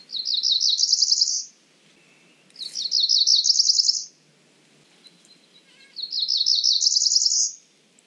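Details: Three rising buzzy phrases from a Cerulean warbler, each a fast run of notes climbing higher, with faint clicks and soft background noise between them.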